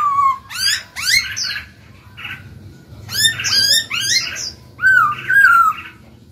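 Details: Captive Black-throated laughingthrush singing to get newly caught birds to start singing: a low whistle, clusters of sharp rising chips and rapid notes, closing with two sustained whistled phrases.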